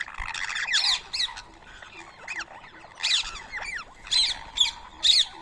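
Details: Wild Rose-ringed parakeets at a morning feeding of soaked boiled rice, 7:00 AM, 31 March 2024, Coimbatore: harsh, grating screeches in short bursts about once a second, some notes sliding up and down, over a quiet outdoor background.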